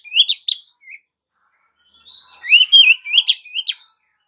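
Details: Female Oriental magpie-robin calling the male as a lure: a few quick short notes, a pause, then a rapid burst of varied warbled twittering.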